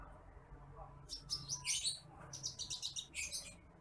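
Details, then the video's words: Branjangan (bush lark) song recorded as a masteran for training other birds: bursts of high, thin, fine chirps and short buzzy trills from about 1 to 3.6 seconds over a quiet low hum. "MASTERAN BURUNG BRANJANGAN APUNG (TITIMPLIK)"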